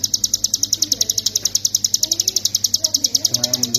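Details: Shrill, rapidly repeated chips from a hill prinia in ngebren style, recorded as master material for songbird training, running nonstop and evenly throughout, with a faint low background murmur.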